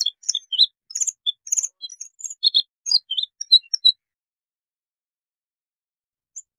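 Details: Bluethroat song of rapid, varied high chirps, clicks and sharp whistled notes for about four seconds, followed by silence and one final faint note.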